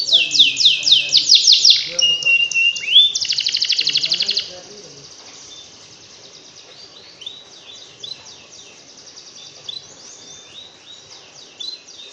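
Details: Canary masteran tutor song meant to set reluctant canaries singing: a burst of quick descending sweeps and buzzy rolled trills for about four seconds, then distant faint chips and swept notes over quiet background hiss.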